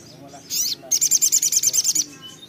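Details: Little spiderhunter (sogok ontong, sogon) singing vigorously: a short buzzy high note, then a fast run of about twelve sharp, piercing high notes lasting about a second, over faint low background murmur.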